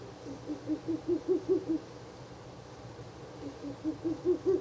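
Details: Ural owl calling near a nest box at night, 16 April 2024, on the third night of visits; two rapid trains of low, rounded hoots, about seven notes each, gaining strength along the series.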